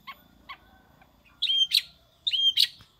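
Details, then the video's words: Long-tailed shrike in prinia-style song: two soft clipped notes, then two loud phrases of a high, sliding whistle followed by a harsh, scratchy burst. "Burung Cendet / Pentet gacor rasa prenjak"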